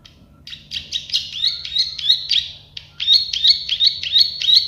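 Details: Plain prinia, the prenjak sawah or klik-klik bird, giving slightly uneven buzzy notes, some longer and rasping, then after a short break a faster run of sharp clicking notes at about three per second.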